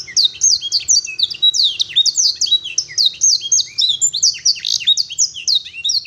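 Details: Canary whose long, clear song is filled with blackthroat and sanger phrases: continuous rapid high whistles and sharp down-swept notes with buzzy trills, pouring out without pause.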